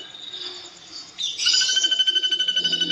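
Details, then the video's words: Ashy drongo song from a tutor recording for songbirds: a thin high whistle jumps into a burst of buzzy, scratchy notes, then settles into quick pulsing repeated whistles with a rough low rattle underneath. "MASTERAN SRIGUNTING ABU ABU GACOR"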